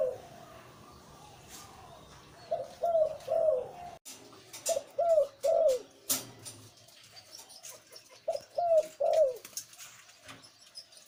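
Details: ['Liw Tan style breeding male zebra dove with a deep voice, cooing in repeated low bubbling phrases of three to four notes, three phrases over about eleven seconds, amid frequent clicking sounds.']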